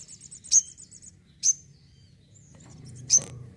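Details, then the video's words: Home-kept sogon bird singing vigorously: three sharp, very high chips about a second apart over a faint, fast high trill, with low background hum. "SOGON GACOR RUMAHAN"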